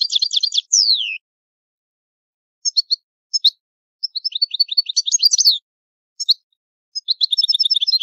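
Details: Italian goldfinch singing the old-style song: bursts of fast, liquid twittering and a long downward-sliding whistled note, broken by short silences, ending in a rapid buzzy trill; no other sounds.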